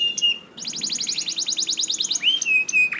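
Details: Canary song played to get caged canaries singing: a held whistle, then a rapid trill of repeated high notes, ending in a rising whistled slur.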